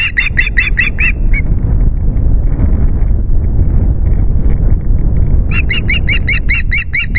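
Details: Wild ospreys at their nest at Loch Garten, 9 August, 09:00, on a nest camera, screeching to chase an intruding ringed osprey away. Rapid series of sharp, repeated high notes opens and closes the recording, with steady wind rumble between them.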